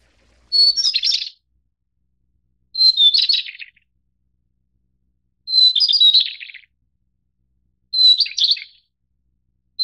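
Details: White-browed Shortwing, Brachypteryx montana goodfellowi, the subspecies endemic to Taiwan's mid- and high-elevation mountains: four short phrases about every two and a half seconds, each opening on a steady high note and then breaking into a fast, tumbling warble that drops in pitch. Background silent.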